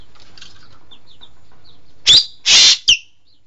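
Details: Green magpie (engkek keling) breaking a quiet, faintly chirpy background with three loud, rasping, broadband screeches, the middle one longest.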